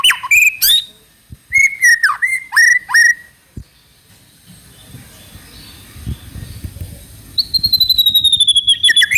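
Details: White-rumped shama lure for prompting another bird to sing: bright whistled phrases with quick downslurs, a pause filled with low background rumble, then a long thin high whistle ending in a fast buzzy trill.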